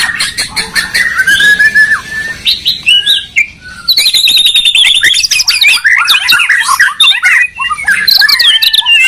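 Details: White-rumped shama song duel, Medan versus Borneo: long whistled phrases with slurred glides, then a burst of rapid clicking notes and fast high trills after a short lull.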